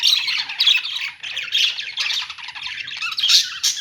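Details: Dense chatter of budgies in a pet store, rapid scratchy twittering with bright squeaky notes throughout the short stretch.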